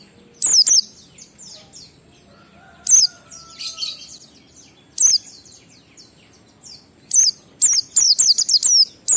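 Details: Oriental white-eye singing ngalas style with a 12345-beat pattern, meant to provoke other white-eyes into song; sharp, high, descending squeaky notes in bursts, ending in a rapid run of about eight, with faint soft chirps between.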